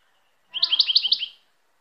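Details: European goldfinch singing a short burst of five or six bright, liquid twittering notes alternating slightly up and down, lasting under a second in quiet surroundings.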